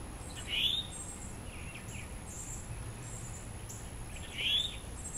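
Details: Male northern cardinal feeding a juvenile, Diamondhead, Mississippi, July 2016, gives two brief, sharp, upslurred chip notes about four seconds apart over a steady high-pitched hiss.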